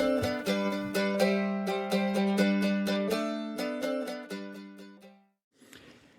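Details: Plucked strings, like a ukulele or mandolin, strum a steady tune in a small room, ending in a brief soft rustle.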